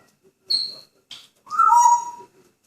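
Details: Pet grey parrot in a good mood, whistling and making noises: a short high whistle, a brief scratchy burst, then a louder whistle sliding downward, in a quiet room.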